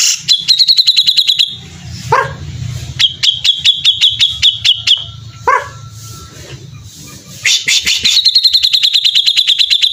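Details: Cream-vented bulbul in full song: rapid metallic trills of repeated high notes in several bursts, separated by harsh descending squawks and low background rumble.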